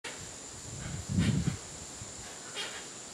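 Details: Hoatzin (Opisthocomus hoazin) at Tambopata National Preserve, Peru, gives a single hoarse, low, grunting call lasting about half a second over a steady high insect hiss; call.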